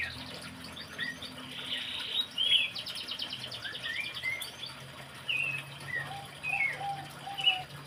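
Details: Horsfield's babbler, known locally as pelanduk semak or cingcoho, in full song: a lively run of varied whistled and chirping notes, some sliding up or down, steady throughout with faint running-water noise behind.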